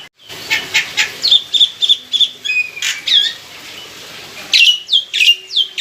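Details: Loud lure song of an established caged black-winged myna. A few harsh notes and a held whistle come first, then after a quiet gap a regular run of high, sharply descending notes.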